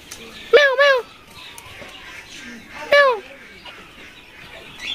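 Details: Captive rose-ringed parakeet, a talking parrot. Gives two harsh, arched squawks about two seconds apart against a low murmur of background noise.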